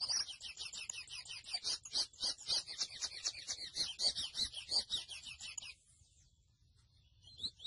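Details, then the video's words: Song of a grey seedeater, known locally as mochuelo: a dense run of quick, high, metallic chirps and trills lasting about six seconds, ending abruptly in near silence before a faint note returns. "MOCHUELO AVE Y SU CANTO HERMOSO (SPOROPHILA INTERMEDIA)"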